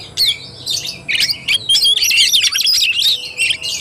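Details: Short burst of Oriental magpie-robin fighting-style song, fast whistled notes sweeping up and down, about three per second, with harsh chatter.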